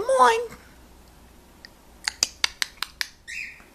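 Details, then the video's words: Pet blue-fronted amazon parrot indoors, known to mimic its owner saying "what's up": a loud harsh squawk, a pause, then six sharp rapid clicks and a short buzzy whistled note. "Best of Nelly Blue Fronted Amazon Parrot"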